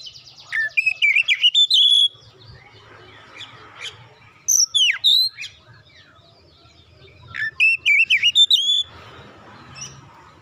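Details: Young oriental magpie-robin (kacer) prompted into song: three bursts of rapid, loud whistled and warbled notes, each a run of short sliding phrases, separated by quieter pauses with soft background chatter.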